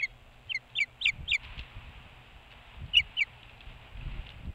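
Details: Osprey calling at its nest atop a boat house across the water from Hog Island, Maine: a quick series of sharp, high, downslurred chirps, then a pause and two more, over a low background rumble.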